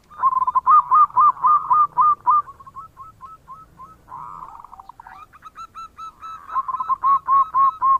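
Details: Bekur cooing from a lively local zebra dove, sung to attract other birds: loud rhythmic coo notes, a softer middle of separated clipped notes and a brief warble, then the loud fast coos again.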